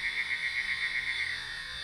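A Eurasian nightjar gives a steady, mechanical churr, a fast even trill held on one pitch, over a high background hiss of insects.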